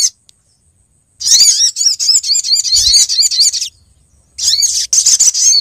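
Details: A female olive-backed sunbird calls the male, played as a lure: after a second of silence, a long stretch of rapid high twittering with wavering, looping notes, a pause, then another burst.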